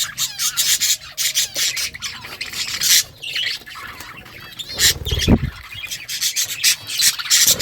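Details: Pet budgerigars feeding on green food: scratchy squawks and quick chirps come in uneven bursts, interleaved with crisp crunching and pecking clicks and a short thump near the middle.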